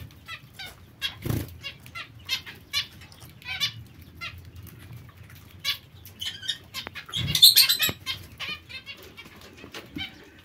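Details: Zebra finches kept as pets, chattering with many brief nasal beeps and clicks at a fast irregular pace, a louder burst near the end, with occasional thumps.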